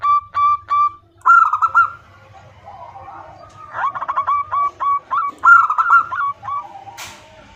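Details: A female zebra dove (perkutut) calling to a male gives soft, mid-pitched staccato coos in quick clustered bursts, over a faint low hum, with a sharp click near the end.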